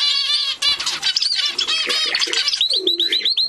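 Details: Gloster canary in full song: dense rapid chattering trills and rolls at first, then a series of clear repeated upswept whistled notes toward the end, loud and close.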